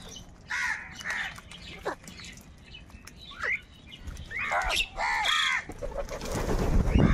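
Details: Crows fighting for food give harsh, hoarse caws in short bursts of two or three, with one drawn-out call near the middle and rising noise and rumble at the end.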